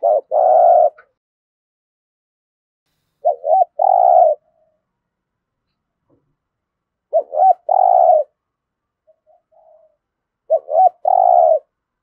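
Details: Spotted dove's Thổ-voice fighting coo, used to prompt captive birds to call quickly: four phrases, each a quick double note then a sustained low coo, separated by pauses of about three seconds.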